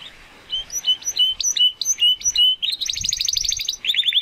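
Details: Young male Spanish Timbrado canary, kept as a pet, working toward his full song: clear whistled notes alternating between two pitches, then a fast metallic trill and a closing rapid rolled phrase, with no other sounds.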